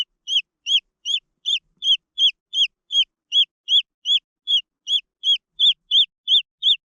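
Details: A series of about nineteen clear, high-pitched peeps from green junglefowl chicks, each note swooping up and then down, repeated close to three times per second against silence.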